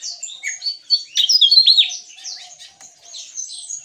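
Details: Javan tesia, gacor ngeplong style, delivering a quick tumbling run of high, sweet slurred notes that swells loudest in the middle, then fades into softer twittering.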